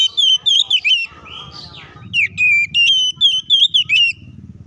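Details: Oriental magpie-robin fighting song meant to make other birds emotional. Rapid piercing whistles open, a brief softer warbled note follows, then a long run of quick sharp slurred phrases with faint low rumble.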